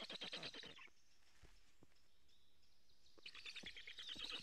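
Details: Black stork chicks in a nest in Karula, Estonia, begging for food on a live camera, 2 July 2017 morning: a burst of harsh rapid pulses fades into a quiet gap with faint chirps, then the rasping begging picks up again.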